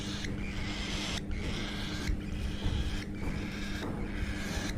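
A hand-fed cockatiel chick gives harsh, hissing rasps in bursts of about a second, over a low hum.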